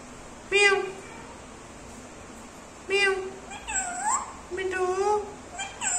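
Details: Talking pet Indian ringneck parrot repeating its name and mimicking a cat's meow; short nasal harmonic calls spaced about two seconds apart, then bending, meow-like rising and falling notes, indoors with little background noise.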